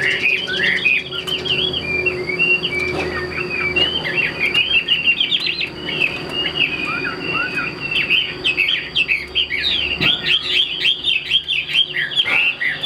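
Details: Chinese hwamei, a caged and tame display bird, keeps up a long, energetic song of rapid slurred whistles, chattering runs and brief trills, with faint knocks and a steady high tone.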